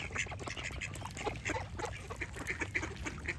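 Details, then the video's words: Ducks quacking in a busy chorus: harsh, nasal bursts overlap almost continuously, with several louder quacks standing out every half second or so over a steady low rumble. "Relaxing Duck Quack Sound Effects"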